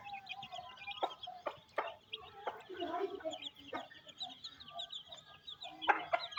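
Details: Mother hen feeding her chicks in rain, village setting in Pakistan; repeated short throaty clucks from the hen sit beneath a continuous chorus of high chick cheeps.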